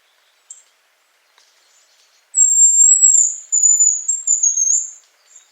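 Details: Hazel grouse whistling in autumn near Yelno, Novgorod oblast, Russia, on 20 September 2018. After a few faint short notes comes one loud, very high whistled phrase, a long steady note then quicker broken trills, against near silence.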